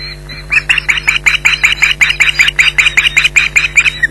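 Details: Nesting Ospreys at Loch Garten alarm-calling at a persistent intruder, July 2011: after a faint start, loud harsh yelps burst out in a rapid, slightly uneven series, about three per second, over low hum.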